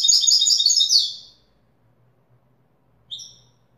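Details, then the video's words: European goldfinch in authentic Widani style: a fast, bright twittering phrase that ends after a second, then silence and a single short high chirp. "تغريد ويداني أصيل"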